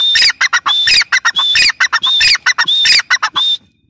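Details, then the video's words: Female grey francolin, loud and close, pouring out a rapid series of harsh squealing notes with rising whistled starts, about fifteen bursts in three and a half seconds before falling silent. "gray francolin teetar sound || female teetar voice"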